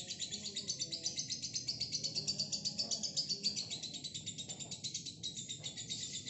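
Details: Long ngekek from a single female fighter lovebird, a fast, buzzy, high-pitched rattling chatter with evenly pulsed beats that runs without pause.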